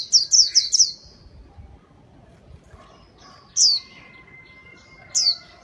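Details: White-eye chirping used to attract birds, opening with four rapid high slurred notes, then isolated single downslurred calls spaced well apart, with a thin steady tone in the background.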